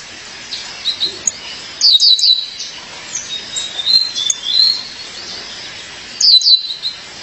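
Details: Female violaceous euphonia calls to her partner with clusters of three or four sharp, high, downslurred chips, separated by thin whistled notes, with a fresh burst of chips after a pause.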